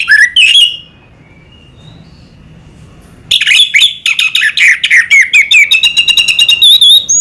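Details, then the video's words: Orange-headed thrush, known locally as anis merah, gives a loud high opening phrase, pauses about three seconds, then pours out a fast, rich run of varied whistles, chips and slurred notes that ends in thin high whistles. "burung anis merah selow"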